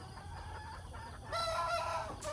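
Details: Rooster crowing in the morning among decoy chickens: after a quiet start, a loud harmonic crow breaks in, split into short strident segments over about a second, with faint background hiss.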